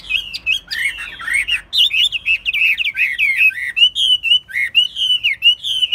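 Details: Chinese hwamei, a caged bird described as diligent and fine-voiced, delivers a fluent stream of whistled downslurred and looping notes, punctuated by short harsh clicks, with hardly a pause.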